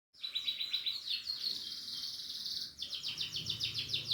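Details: Canary singing: a sustained buzzing trill of rapid repeated notes high in pitch, broken by a short pause, then resuming as a fast chopped trill; low rumbling background hum.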